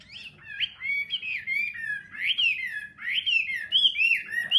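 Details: An old, wild-caught hwamei, moulted once in captivity, sings a loud, unbroken run of rich whistled phrases that slide up and down, changing every second or so, over a faint low indoor hum.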